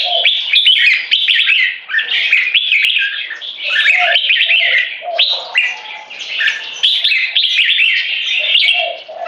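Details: Two competition red-whiskered bulbuls (jambuls), aged 3.5 and 7 years, sing in butir (frequency singing) style to dominate territory over a rival. Dense overlapping bursts of bright, chattering, whistled notes pour out almost without pause, with a lower warbling thread beneath.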